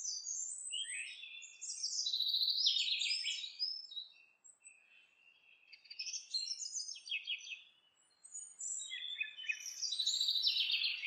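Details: House wren busy building a nest, delivering a rich gurgling song: three fast, bubbly bursts of rattled and trilled notes separated by short pauses, in a quiet, clean setting.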